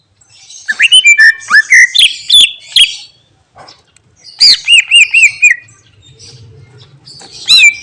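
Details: Greater green leafbird in full song: loud, varied whistled phrases with sweeping rising and falling notes and sharp clicks, a run of bouncing repeated whistles, then a pause and a final bright burst.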